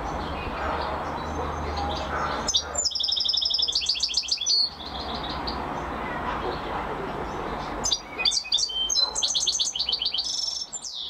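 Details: Champion singing by a European goldfinch: after a quiet start, sudden bursts of fast, jingling twitters and buzzy trills, pausing and resuming in lively tumbling phrases.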